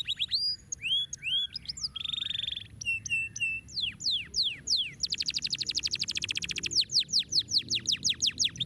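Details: Canary song used to stimulate lazy birds to sing: varied tours of whistled downslurs, a buzzy steady trill, then fast rattling trills and repeated sweeping notes, loud and clear over a faint low hum.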